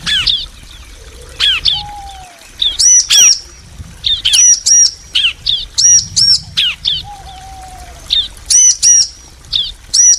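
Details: Male and female bar-winged prinia answering each other: bursts of sharp, arched chirping notes alternating with quick downslurred notes in irregular runs, with a faint low drawn-out whistle twice in the background.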